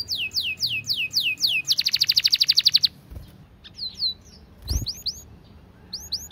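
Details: Canary giving a fast, tight, long, clear training song: downslurred whistled notes, then a dense rapid roll, a brief pause, and scattered rising sweeps with one soft knock.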